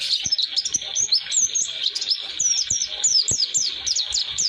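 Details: Oriental white-eye (pleci) in long rolling 'roll durasi' song used for tutoring young birds: rapid, high thin twittering notes, slurred and mostly falling, pouring out continuously, with faint low clicks underneath.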